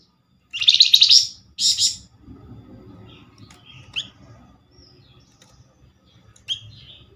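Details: Flamboyan reply-lure call: two loud, harsh, buzzy chattering bursts close together, followed by sparse thin chips and faint, short whistled notes over a low hum.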